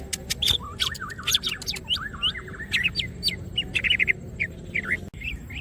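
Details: Greater green leafbird singing gacor with open wings, for masteran use: a fast chattering stream of zigzag warbles and sharp chirps, slowing to scattered looping whistles near the end.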